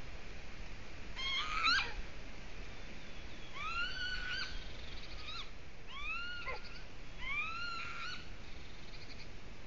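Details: At a nest in Latvia, a golden eagle delivering another twig; a series of four or five rising, whistled yelps, each slurring upward and then levelling, roughly every two seconds against constant hiss.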